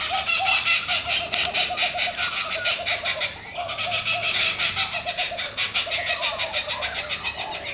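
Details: Several laughing kookaburras in trees giving their raucous laugh, fast rhythmic cackling notes pulsing about twice a second in an overlapping chorus that swells and fades.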